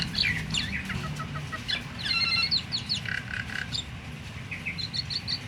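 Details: Myna giving a varied, jumbled chatter meant to set other mynas singing: squeaky whistles, buzzy stacked notes and quick trills in uneven bursts, with a soft low hum behind.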